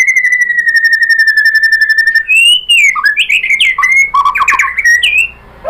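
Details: White-rumped shama singing as a lure to goad other birds into song: a sustained level whistle for two seconds, then a burst of rapid varied rising and falling notes.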